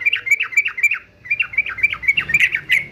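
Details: Male yellow-vented bulbul of fighter type: a string of quick, bright, bouncing notes, about four to five per second, slurred downward, repeated through three seconds.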